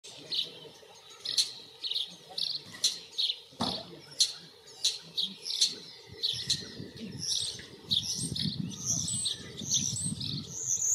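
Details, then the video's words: A singing and courting male common starling gives a rambling, high medley of chirps, clicks and squeaky whistles in quick bursts, over a low rumble that may be a distant voice. "Der Gesang des Stars/The singing of the common starling"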